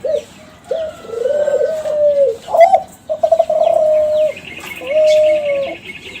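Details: Kelantan spotted dove youngster from champion breeding, cooing as a lure to draw replies from other doves. Short opening notes lead into long, even, hollow coos, with a thin high trill from another bird near the end.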